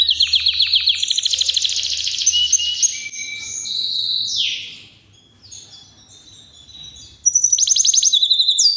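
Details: Powerful non-stop singing by a Yorkshire canary: rapid high trills and buzzy rolls run for several seconds, a falling slurred phrase, a short pause, then a fresh fast trill bursts in.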